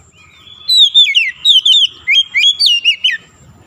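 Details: Oriental magpie-robin (kacer) song used as a prompt to get a stressed, non-singing bird singing loudly again: a lively string of about nine bright whistles mixing falling slurs and quick rising notes.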